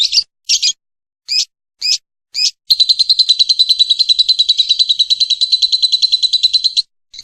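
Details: Lovebird singing as a long training recording: several separate short high buzzy bursts, then a long continuous rapid trill of high chattering notes lasting about four seconds, in an otherwise silent setting.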